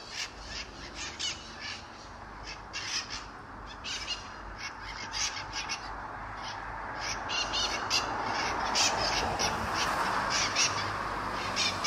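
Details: A noisy feral flock of Mitred conures (Psittacara mitratus) in Sunnyvale, California, on 11/04/2020, gives harsh, grating screeches several times a second that overlap into a steady raucous chatter.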